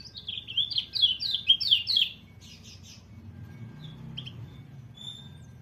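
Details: A white-eye sings a quick burst of high, descending slurred chirps for two seconds, then a few thin scattered notes and a faint whistle fade out.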